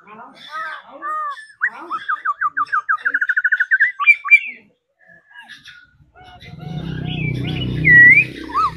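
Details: Daily-trained laughingthrush singing as it dances: a long accelerating series of short whistled notes, a brief pause, then scattered high whistles over a low rumbling background noise.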